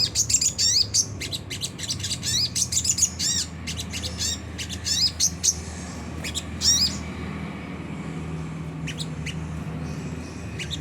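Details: Rough ngriwik kasar chatter of a Sunda whistling thrush, played as a lure to get caged birds singing. Rapid scratchy high notes and quick upswept chirps come in bursts for about seven seconds, then thin to scattered faint calls over a low background hum.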